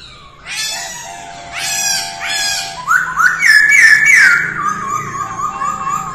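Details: Female masked laughingthrush in early-morning voice practice: harsh, broad squawky bursts, then a bright rippling whistled trill that holds and fades.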